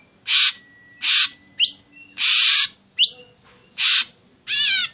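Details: Ashy drongo playback for prompting birdsong: broad hissing rasps alternating with quick rising whistles and a final wavering nasal note.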